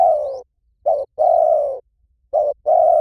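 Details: Lure recording of a spotted dove in the Hliw Tan style for teaching a dove to answer. Long, low, steady coos alternate with short clipped notes in a slow, regular pattern, with no background noise.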